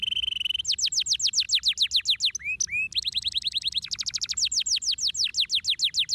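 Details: Canary singing continuously. A high steady trill gives way to long runs of rapid downslurred notes, a few short upslurred whistles, then more fast rolling phrases, all loud and close.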